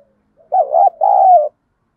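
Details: Spotted dove decoy cooing to challenge wild birds: one clear two-note phrase, a wavering coo and then a longer, gently falling note, otherwise quiet.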